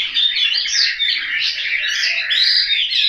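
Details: Home-raised Chinese hwamei in Hanoi, Vietnam: loud, rich song of rapidly changing whistled notes, warbles and short sweeping slurs, sung continuously.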